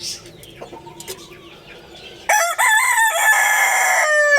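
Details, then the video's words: A morning crow from a Lohmann Brown rooster. It starts with a short stuttered note, then swells into a long, loud crow with a steady pitch. Faint bird whistles and chirps come before it. "Roosters Crowing Compilation | Rooster Crowing Sound Effect | Good Morning"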